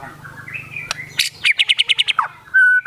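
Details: Singing white-rumped shama, song filled with kapas tembak phrases: soft wavering notes over a low buzz, then a quick run of about eight bright repeated chirps and a long, clear whistle.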